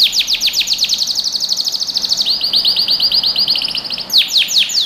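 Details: Yellow canary song to train young birds: continuous rapid series of falling chirps, shifting to a steady stream of short rising notes, then louder sweeping whistles.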